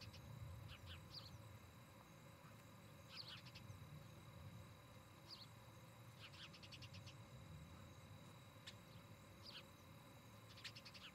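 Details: Ospreys at a nest in Charlo, Montana, captured by a nest camera in the August 2018 evening; scattered high squeaky notes and several fast bursts of five or six clipped chirps, with steady low-frequency rumble beneath.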